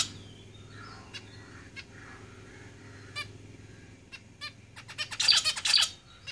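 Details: Zebra finches in a cage give scattered nasal beeping calls, building into a loud, rapid burst of buzzy song notes near the end, over a steady low hum.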